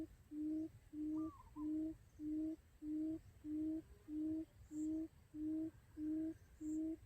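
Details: Quail lure call for trapping quail: loud, clear, low hooting notes in a very regular series, about ten in seven seconds, evenly spaced and steady in pitch, with only a quiet background.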